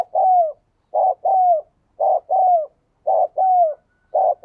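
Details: A spotted dove decoy bird coos, recorded to stir other doves into cooing quickly. Low, mellow coos come in paired groups: a short burst, then a longer note that falls slightly in pitch, repeated about every second.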